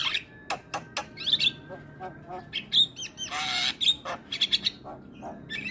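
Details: Lively Javan myna song full of varied fill phrases: loud grating squawks and a long rasping burst interspersed with piercing short whistles and clicks, notes tumbling out in fast uneven sequences.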